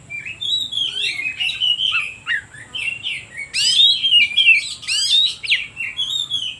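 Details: Provoking song of an oriental magpie-robin, meant to get quiet birds singing. Varied whistled phrases come in quick succession, followed by several loud, steeply rising whistles and softer trailing notes.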